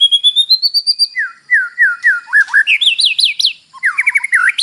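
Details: Morning white-rumped shama fill-in song used to spur a caged bird into singing: a rising series of thin whistles, then slurred downward notes, looping rising phrases and varied high whistles in a continuous, energetic stream.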